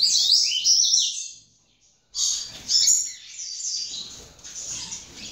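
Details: A young F2 double-collared seedeater gives high, rambling twittered song in two bursts separated by a brief pause; there are no other clear sounds.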